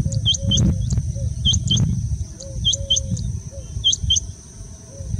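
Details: Rain quail mating call in Hubli, India: sharp, high, metallic double notes repeated about once a second, over a low rumbling background and faint lower whistles.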